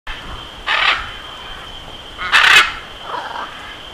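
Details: Macaw of the genus Ara calling: two loud, harsh, raspy squawks a second and a half apart, then a softer, shorter third squawk, over a steady high electronic whine.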